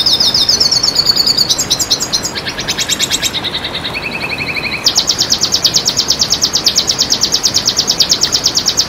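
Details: Red siskin singing, from a masteran and lure recording. A twittering, varied phrase gives way to lower buzzy trills, then a long, fast, regular trill of high sharp notes continues for several seconds.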